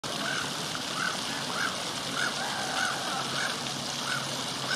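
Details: A courting pair of Black-headed gulls on a garden fountain's edge, moaning and bowing to each other, give short, nasal mid-pitched calls, about eight in five seconds, over a steady wash of running water.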